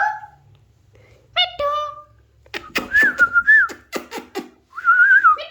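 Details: Alexandrine parakeet talking, mimicking words such as hello and meow: short harmonic calls, then a burst of rapid clicks and a wavering whistled phrase, ending in a rising-falling whistled tone.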